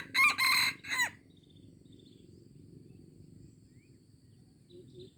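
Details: Crowing junglefowl in Aceh on 25 April 2020: three rasping, broken syllables packed into about one second, the last trailing off, followed by low background hum and faint distant bird notes.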